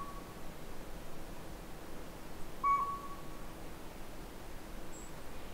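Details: Northern pygmy owl recorded at the Sea to Sky Gondola: one clear, steady, hollow whistled toot lasting about a second, with a fainter short note at the start, over a quiet low background rumble.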